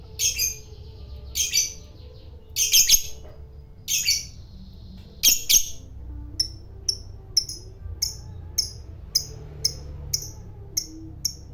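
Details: Fighter lovebird: raspy squawk bursts at first, then a series of short high chirps repeated roughly every half second.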